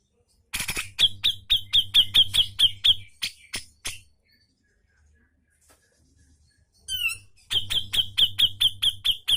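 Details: Grey-cheeked bulbul song used as a tutor recording for caged birds that sing too little. Sharp high notes repeat rapidly, about two per second, in two bursts separated by a pause, with a low hum underneath.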